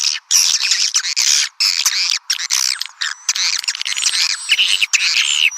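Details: Calling swiftlets played to attract their kind: bursts of high, chattering twitters separated by short silences, some notes sliding upward into thin whistles.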